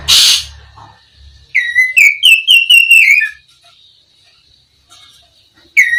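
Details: Oriental magpie-robin of the black-breasted East Javan form, known locally as kacer, sings a rapid string of bright rising-and-falling whistles lasting about two seconds, framed by a short hiss and another whistle at the end.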